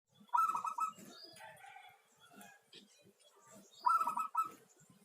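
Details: Local zebra dove singing: a short burst of rapid, staccato cooing notes in a low to middle pitch, then a quiet pause and a second matching phrase about three and a half seconds later.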